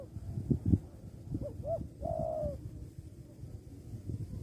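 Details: A single spotted dove phrase: two short rising notes followed by a long, softly falling coo, preceded by low knocking noises, from a bird-luring hobby setting with a steady low background hum.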